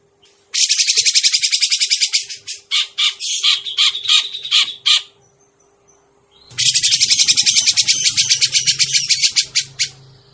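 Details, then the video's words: Grey-cheeked bulbul lure sound for trapping: a long, fast, grating rattle, breaking into looser squawky notes, a pause, then a second rapid buzzy rattle, with a low hum during the later part. "suara pikat burung cucak jenggot"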